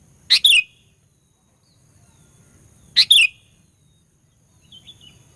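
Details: Lure recording of a sooty-headed bulbul used to rouse rivals: two crisp, high chip-and-slur phrases about three seconds apart, then faint thin twittering from another bird near the end.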